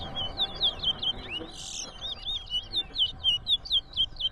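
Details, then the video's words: Towa towa singing during a bird competition at Rosignol, Berbice, Guyana: a steady string of bright, high whistled notes, about two per second, each slurring downward, over a faint low hum. "TOWA TOWA BIRD COMPETITION"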